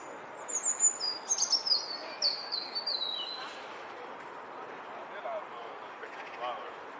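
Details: A European robin sings against a rival that answers from a short way down a garden path, delivering a thin, high, silvery phrase of sliding and descending notes over about three seconds, then steady background hiss.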